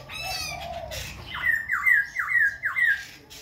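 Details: Khe Sanh laughingthrush singing while dancing and switching voices continuously: a low slurred whistle, then five loud, rapid, downward-sweeping notes repeated about twice a second, each ending in a bright twist.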